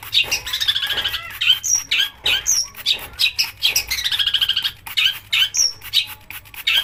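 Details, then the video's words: Long-tailed shrike song used to provoke other shrikes into singing: a busy, harsh run of scratchy notes mixed with rapid trilled rattles, sharp high whistles and mimicked phrases, delivered almost without pause. "pancingan cendet agar gacor"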